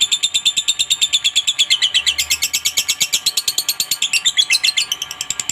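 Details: Lovebird chattering ngekek to goad a rival into responding: a rapid, unbroken series of high rattling notes, nearly three per second, wavering slightly in pitch throughout.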